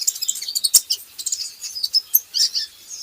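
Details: Fast, continuous high twittering and chirping from a kolibri ninja in a lure recording used to get birds singing, with a busy, slightly noisy background.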